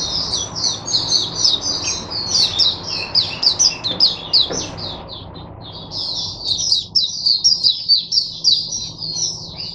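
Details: Oriental white-eye in a cage, used as a song tutor for other white-eyes, recorded 22 January 2022: two long bursts of fast, high, jumbled twittering notes with a brief pause between them; faint hum underneath.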